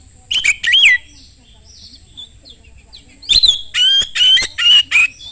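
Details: Oriental magpie-robin in fast song used to lure other magpie-robins into singing: sharp whistled slurs and rasps, a quieter pause of soft twitters, then four loud harsh ringing phrases in quick succession.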